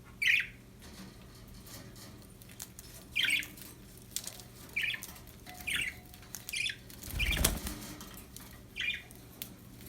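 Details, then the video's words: Happy budgerigars in captivity calling with short bright chirps repeated roughly every second, broken by a brief rustle or flutter midway, low hum underneath. "Happy budgies chirping sound"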